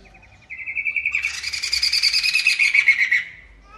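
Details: Booming, vigorous song (gacor) of a poksay mantel laughingthrush: a thin, evenly pulsed whistle opens, then bursts into a loud, rasping, rapidly repeated chatter lasting about two seconds before tapering off.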